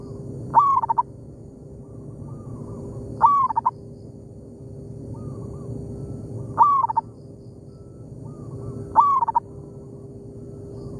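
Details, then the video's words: In an oil palm plantation, a local zebra dove answers a decoy bird. Four loud stuttering coo phrases, each rising and then breaking into rapid short notes, come roughly every three seconds, with softer distant coos between them. "merdunya suara perkutut lokal di kebun sawit,bersahutan dengan pikat"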